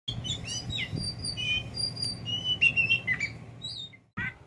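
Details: Tame kacer poci oriental magpie-robin, a pet bird close to its owner, giving short whistled and chirped notes high in pitch, some sliding, scattered over a few seconds above a low steady hum and rumbling background noise.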